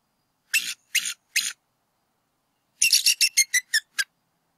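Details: Bald eagle pair at their northwest Georgia nest, 8 April 2018, calling while the male chases away an intruder and the eaglet stays flat; three slow, shrill notes, a pause, then a quick tumbling series of sharp pips.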